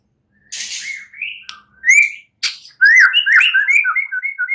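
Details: White-rumped shama song played at night to stimulate singing: a hissy burst, then whistled slurred notes, leading into a fast sequence of short varied chirps.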